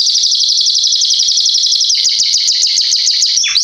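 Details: Belgian Salsa canary singing loudly, its song valued for teaching young birds: a fast, even high trill of clipped notes that shifts midway into a slightly slower, chirping series before a sharp downward note.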